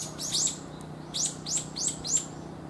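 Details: Brown-eared bulbul, a notably large individual about pigeon-sized, calling in a commonly heard way: a series of sharp, high, sweeping squeaky notes repeated about every third of a second, over a low steady hum.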